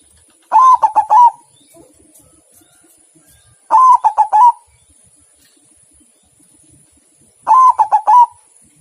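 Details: White zebra dove singing three phrases spaced about three and a half seconds apart, each a sustained coo breaking into four rolling notes, over a quiet background.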